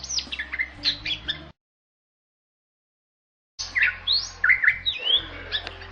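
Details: Bali myna, also called jalak Bali, a rare bird protected in Bali. It gives harsh squawks mixed with short whistled and rising chirps, then a two-second silence before another burst of squeaky, varied notes.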